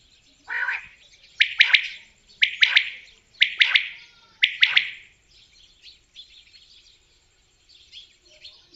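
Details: Common quail calling repeatedly, a crisp three-note phrase, one short note then a quick pair, about once a second for five phrases, followed by faint quieter chirps in the background.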